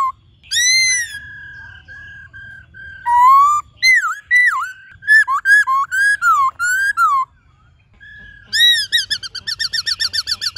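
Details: Black-throated laughingthrush singing in the 'forest voice' style: a long, steady whistle, then varied, swooping, mellow phrases, and finally a rapid rattle of short, bright notes.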